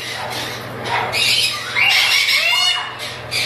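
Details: Breeding pair of chattering lories screeching in rough, rasping bursts with brief gaps, the loudest calls near the middle, over a steady low hum.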